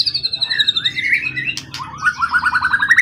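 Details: Competition bird of wild origin, kept for a long time, tail over 20 cm and in full song: a long descending then rising whistled glide, a sharp click, then a fast rising series of repeated notes.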